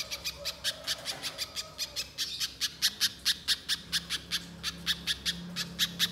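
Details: Banana spiderhunter repeating loud, harsh chip notes in a brisk irregular series, with a low steady hum and a brief lower tone in the background; played to draw out a bird's song.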